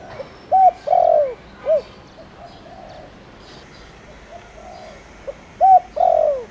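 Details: Spotted dove, a decoy bird used to stir wild doves into calling, singing in the Thổ Đồng voice style: clear, mellow coos in phrases of a short note followed by a longer, fuller coo, repeated twice with quiet pauses.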